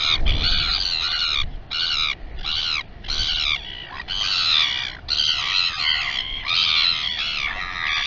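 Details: Royal albatross in its colony at Taiaroa Head near Dunedin, New Zealand, on a live camera: a run of short, braying, arched calls separated by short pauses, with a low thump at the start.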